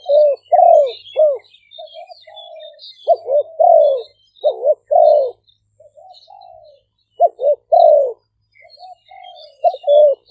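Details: Two decoy spotted doves, Malay and 'phad phone' strains, partly chorusing outdoors in Roi Et, Thailand; repeated falling coos mixed with softer mid notes, constant high twittering of other birds behind.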